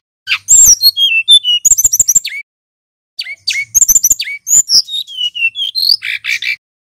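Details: Loud, clear, long rolling song of a male brown-chested jungle flycatcher, mastered: two extended phrases mixing slurred descending whistles, rapid harsh chattering notes and rising buzzy notes, separated by a short pause.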